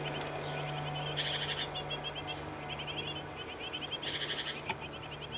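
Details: Great tit pair nesting in a nest box put up late in the year, busy feeding nestlings; bursts of rapid, high, buzzy chirps repeated in quick trains, with a steady low hum underneath.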